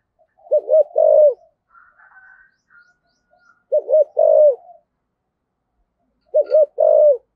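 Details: Decoy Spotted dove with 'thổ sấm' voice: three repeated phrases, each a double hoot then a long purring coo, about two to three seconds apart, with faint higher chirping in a gap.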